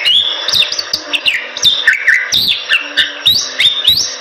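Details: Vigorous Bali myna song meant for tutoring other songbirds: loud, slurred whistles swooping up and down, mixed with buzzy notes and dry clicks in a busy, unbroken stream.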